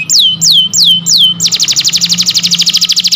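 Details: Canary tutor song for birds that have gone silent: four slow, drooping whistles, then an abrupt switch to a fast, buzzy, rattling trill, over a faint low hum.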